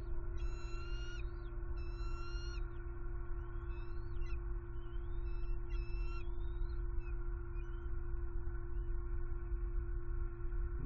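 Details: Bald eagle chicks calling in a wild Southwest Florida nest during sibling rivalry before a rabbit delivery, February 2021; a cluster of piping, whistled calls, some rising, fading into scattered softer notes against continuous low droning noise.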